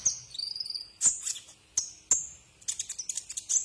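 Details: Tutor recording of a Brown-throated sunbird (kolibri ninja) for cage-bird training: a few sharp high chips and a thin falling whistle, short gaps, then a fast, dense burst of high twitters.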